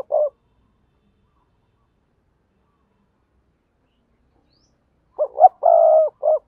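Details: Spotted dove used as a lure in Đồng Nai, Vietnam, giving the double-voice (giọng đôi) coo: a clipped note opens, then after five silent seconds one full phrase of two short hoots, a long hollow coo and a closing hoot.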